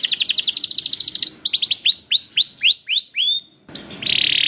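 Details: Canary song played to prompt other canaries into lively singing: a fast high trill of buzzy pulses, then a run of clear downward-sweeping whistled notes repeated about four per second, ending in a harsh rasping buzz.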